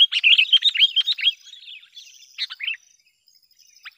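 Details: Sooty-headed bulbul calling as a lure for wild birds: a fast, dense run of bright chirps lasting over a second, then a couple of softer phrases and a final lone note.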